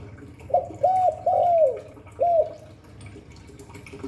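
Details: Cu đất, the spotted dove, gives one cooing phrase in the 'Hạp Bổi' style: a quick arched note, two longer rounded hoots, a pause, then a final short arched coo, before near-silence.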